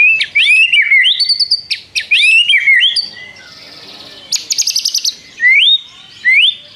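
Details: White-rumped shama in full, constant song filled with imitations of prinia calls and long trills, meant to make rival birds sing. Loud whistled phrases sweep up and down, a buzzy rapid trill in the middle, then rising whistled slurs.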